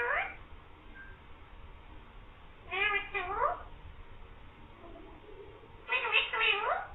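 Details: Green parrot talking, said to be saying "mian mithu" and meowing; three bursts of nasal, harmonic, cat-like meows at the start, near three seconds and near six seconds, in a quiet indoor setting.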